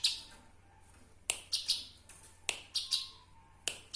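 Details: Eurasian tree sparrow, recorded as a training master sound, uttering short bright chirps in groups of three, each group about a second apart, with a faint background hum.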